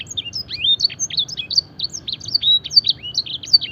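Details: Canary singing a luxurious song mimicking blackthroat and edel sanger: fast, varied high chirps and short downslurred whistles strung together continuously, with occasional longer flat whistled notes and soft background hum.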